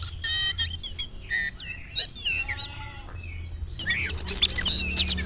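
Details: Oriental magpie-robin reacting to a rival with varied song, slurred whistles and harmonic notes, ending in a louder harsh scratchy burst over a steady low hum.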